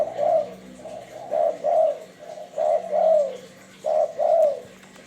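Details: Repeated soft, hollow double coos of a spotted dove (tekukur) used as a lure call, three paired phrases in quick succession against quiet room tone.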